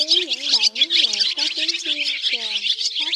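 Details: Dense, high chatter of many twittering swiftlets, with lower wavering, sliding tones running beneath almost without pause; a lure recording of white-bellied swiftlets calling the flock together to roost.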